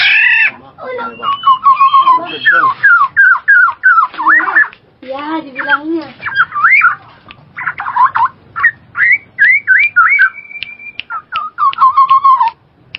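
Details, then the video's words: Black-naped oriole giving a long run of loud, fluty whistled notes, many wavering or sweeping up and down, in quick irregular bursts with short gaps, mixed with a few harsher rasping notes. "SUARA BURUNG KEPODANG"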